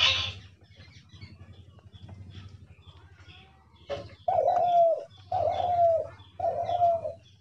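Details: Caged spotted dove used as a hunting decoy in a trap cage: after a quiet stretch with a brief wing flutter, three drawn-out husky coos follow each other about a second apart.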